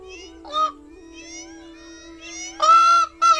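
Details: Peacock in Tharparkar giving loud, nasal, wailing cries: a brief one early, then two drawn-out calls close together at the end, over a steady low hum.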